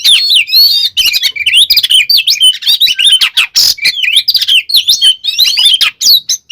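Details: Oriental magpie-robin in full fighting song meant to agitate rival magpie-robins, pouring out loud, varied high whistles, sharp V-shaped slurs and harsh scratchy notes in a dense unbroken stream.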